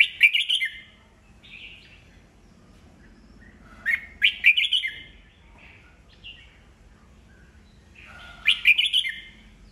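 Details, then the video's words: Red-whiskered bulbul, an old wild-caught bird, singing to provoke rival birds into song contests: three loud bursts of quick bubbling chirps about four seconds apart, with softer whistles between and a low background hum. "Chào mào già rừng bọng cực hay, siêu kích bổi, bổi nghe là hót đấu"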